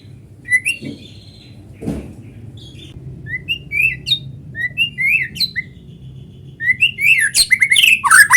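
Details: White-rumped shama singing, a natural recording played to draw other shamas into song: sparse clear upslurred whistles building into a dense burst of rapid, rich varied notes toward the end.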